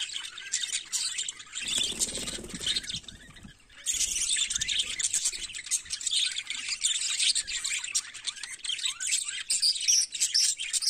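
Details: Budgerigars in the morning: dense, continuous chirping and warbling chatter of many overlapping high voices, briefly dipping with a low rumble in the second and third seconds before the busy twittering resumes.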